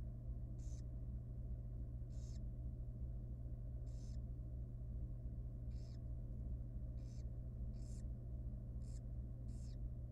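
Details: Very young wild barn owl in a nest box at feeding time, repeating short wheezy hissing bursts roughly every second, about nine in all, with a steady low hum underneath.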